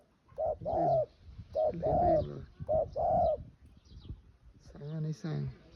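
Spotted dove cooing three soft, low phrases, each a short note then a longer rolling coo, about once a second. A human voice briefly follows.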